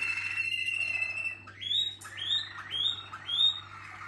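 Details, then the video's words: Singing Waterslager (Malinois) canary: a held trilled tone, then four looping upswept notes repeated roughly every half second, rising and falling in loudness, faint hum below. "Equipo Ahí van,malinois Waterslager"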